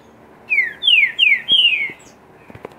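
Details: Green-winged saltator (trinca-ferro) singing in the pedrada style: four loud, clear whistled slurs, each sweeping downward and the last drawn out longest, followed by a few faint clicks.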